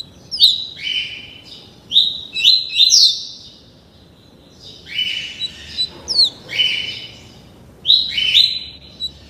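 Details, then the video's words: Double-collared seedeater, about 30 days into song tutoring in the tuí tuí Alcântara song, sings bright, buzzy phrases of quick down-slurred whistles, repeated in bursts every second or two against a quiet background. "COLEIRO FLASH ENCARTADO NO CANTO TUÍ TUÍ ALCÂNTARA"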